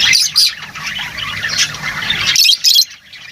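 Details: Lovebirds twittering in a steady high chatter, then two louder sharp squeaky calls near the end.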